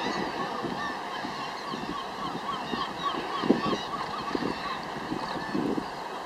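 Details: Northern gannets at Troup Head, the only mainland gannet breeding colony in the UK: a dense, continuous chorus of harsh, grating calls from many birds, with wind noise on the microphone.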